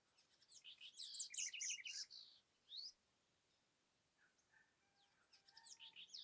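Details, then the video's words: Southern House Wren (Troglodytes musculus) in Amapá, Brazilian Amazon, singing a fast, bubbly jumble of high trills and chattering notes for about two seconds, followed by softer scattered whistles. "O canto da Corruíra | The song of the Southern House Wren"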